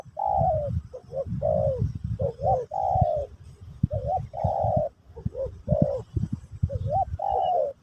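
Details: Spotted dove cooing during a session for teaching a new bird, Terkukur Pesom or Kacuk style; low mellow coos around 600, short rising notes followed by longer drawn-out coos, repeated in phrases, with low thumping noise underneath.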